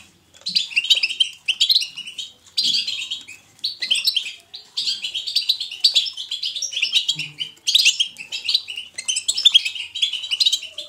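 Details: Natural, lively European goldfinch twittering, called batbata. Phrases of rapid bright chirps and rattling trills each last about one second, with short gaps, and grow longer and fuller toward the end.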